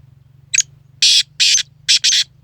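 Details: Black francolin calling: a short harsh note followed by four loud, rasping, grating bursts in two close pairs, over a low steady background hum.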